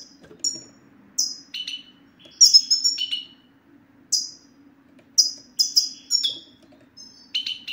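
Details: European goldfinch song of the 'sitsita' type, played to coax silent males to sing: scattered high chirps and descending twitters, some in tight clusters, with short silent gaps and a soft constant hum beneath.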